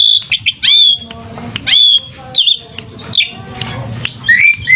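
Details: Varied Asian pied starling lure song, used to make other birds call back: loud sustained squealing whistles mixed with short squawky notes and a final pair of rising whistles, irregularly spaced.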